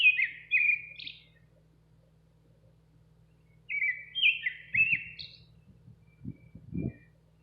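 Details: Nightingale singing outside a kitchen window, two rich, quick bursts of slurred, chattering notes about three seconds apart, with soft low thumps in the background.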